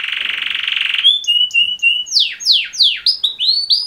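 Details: Male canary mating song, with two males singing: a buzzy rolling trill gives way to clear whistled notes and steeply falling swept chirps, repeated several times a second.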